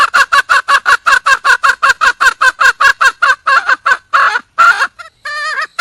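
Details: Wild junglefowl hen calling for a male: a fast run of short, harsh clucks, about two or three each second, ending in a few longer, drawn-out squawks and a brief broken call.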